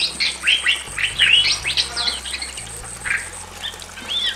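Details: Male and female Bali mynas in a simple aviary singing loudly: a rapid run of sharp whistled notes sweeping up and down, then a pause and a few scattered chirps, over a steady high-pitched whine.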